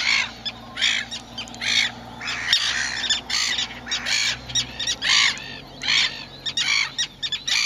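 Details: Young Little Gulls with grey, fluffy plumage give harsh, nasal, squawking calls in quick overlapping bursts, roughly one a second, from several birds at once over a low background hum.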